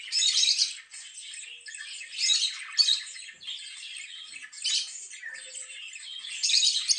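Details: Lovebird chirping indoors: continuous harsh, squawky chatter with scratchy high notes, swelling into louder bursts about every two seconds.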